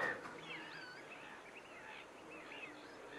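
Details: Group of whooper swans at Nosterfield, 28 February 2015, heard at a distance with many faint, overlapping trumpeting notes that bend up and down, set against constant outdoor hiss.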